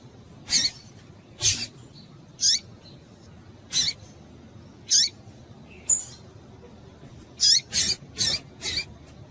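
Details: Female double-collared seedeater calling to arouse males: single high, abrupt chips spaced one to two seconds apart, then a quick burst of four chips near the end, over faint hiss.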